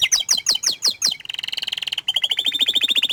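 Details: Shy canary singing quick sliding chirps that turn into a fast, steady rolling trill, then a brighter rattling trill, all high and clear.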